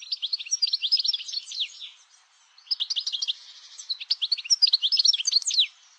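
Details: Goldfinch song, a fast jumble of liquid twitters and sharp buzzy chirps delivered in three close bursts with a brief gap, high pitched throughout and without background noise.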